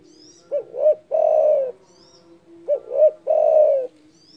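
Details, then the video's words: Spotted dove giving a loud, big-voiced call said to rile its rivals; two phrases, each two short rising-falling coos followed by one long, drawn-out, slightly falling coo, about two seconds apart, in a quiet room. "DERKUKU GACOR DOR SUARA BESAR MEMBUAT EMOSI LAWAN"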